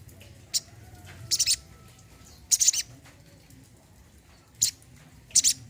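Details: Olive-backed sunbird, kept as a caged bird, uttering short high buzzy bursts and single sharp chips at irregular intervals over a quiet low hum.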